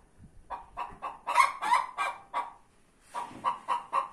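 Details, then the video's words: Domestic hens squabbling over one laying place inside a tractor: repeated nasal clucking notes in two bursts separated by a brief pause, louder in the middle, with a soft low thud at the start. "2 Hens want the same place (to lay eggs?? ) in tractor"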